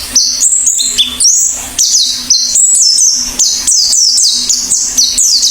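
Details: An Oriental white-eye singing actively: a rapid, busy run of high, sweet whistled notes, each sliding downward, delivered in quick succession with short pauses, over a faint steady low hum.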